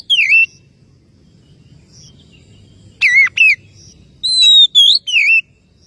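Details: Oriental magpie-robin calling a rival: scattered bursts of sharp slurred whistles, a steep twisting phrase, then steady whistles and downward slurs, separated by short silences.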